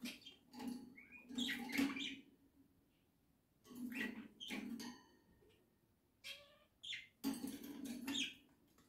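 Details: Household budgerigar flock chattering indoors: buzzy, harsh warbling bursts with stacked harmonic squeaks, coming in clusters separated by short pauses, with a low room hum underneath.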